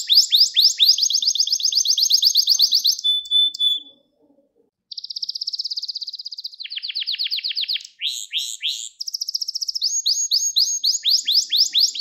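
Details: Gloster canary training song intended to excite males. Long fast trills of repeated notes, a brief flat whistle, a pause of about a second, then further rolling tours. It closes with quick rising sweeps.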